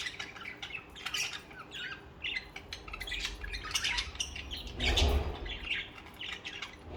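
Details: Pet budgerigars chirping and singing together: fast bright chirps and harsh squawks run throughout, rising to a loud burst toward the end, with some low background noise.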